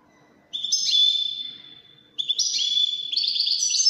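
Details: Two bursts of goldfinch song: European goldfinch, 'widani' type, each a quick tinkling twitter with a drawn-out bright note, the second burst longer and more jangling.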